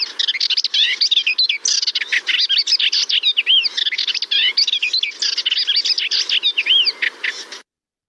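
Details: Melodious warbler singing its complex, varied song, which is said to include some imitations: a hurried, rambling stream of harsh chatters, high twitters and slurred whistles that stops abruptly near the end, leaving silence.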